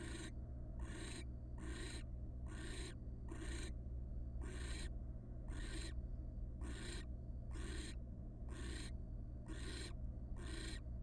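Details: At a monitored nest box, wild barn owls on the night the first nestling hatched, the father arriving with a gigantic rat; harsh breathy hissing screeches, about a second apart, continuing steadily throughout over a low hum.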